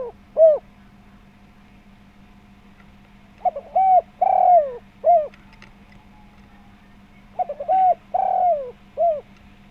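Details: Tekukur (spotted dove) singing steadily in a round, full voice as a lure to draw calls from other doves. A lone coo opens the clip. Two later phrases each run from brief stutters into smooth arched coos, a drawn-out sliding note and a short final coo.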